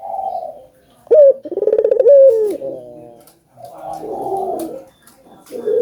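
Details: Collared dove, an albino bird, cooing loudly to prompt other doves into calling: a soft opening coo, then a strong rolling, pulsed coo rising and falling in pitch, followed by further throaty coos after a short pause.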